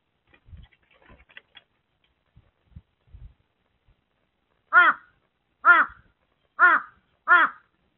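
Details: On 17 May 2023, a carrion crow perched on a nest box roof, pulling out nest material, gives four harsh, hoarse caws about a second apart after faint knocks and rustles, before flying toward swallow nests.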